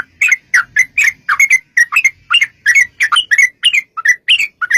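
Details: Energetic yellow-vented bulbul song used as a lure to make bulbuls reply: bubbling two-part chirps, rising then dipping, spaced in quick irregular clusters with brief gaps between them, on a quiet background.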